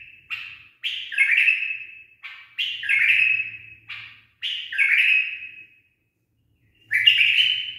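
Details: A tame, properly trained bulbul gives rich, liquid warbled phrases that slur downward, repeated about every two seconds with short pauses between them.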